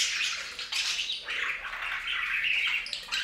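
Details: Budgerigars splashing in a fountain bath make a dense, continuous wash of buzzy chirps and warbles blended with splashing water, with no clear pauses.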